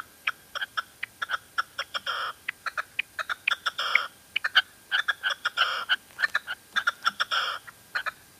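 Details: Female red-legged partridge calling in La Mancha with dense, excited clusters of short notes mixed with longer, harsher rasping bursts, delivered irregularly and loudly.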